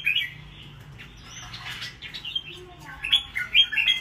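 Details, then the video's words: Red-whiskered bulbul fighting, a wild-caught bird: sharp chirps open the recording, then softer scratchy sounds that may be wing flapping, before a burst of loud high chirping notes near the end. "Chào mào bổi rừng xoè cứng 2 vụ đấu ché víp"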